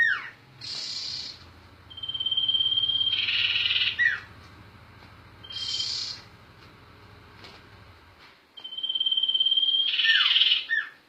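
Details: Sirtu bird, also called sirpu, singing its continuous rolling gacor ngerol song: long steady high whistled notes, each ending in a harsh buzzy burst and a quick falling slur, repeated several times over a low background hum.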